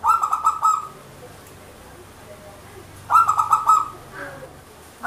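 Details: A local zebra dove, used as a lure for trapping, gives rapid, stuttering runs of soft ringing coos, each burst under a second and repeated about every three seconds, over a faint low hum.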